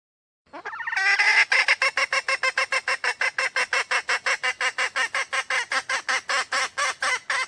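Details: Female red junglefowl of Sumatra uttering a male-luring call: a rising opening note followed by a rapid, sustained series of harsh cackles, about three per second, steady to the end.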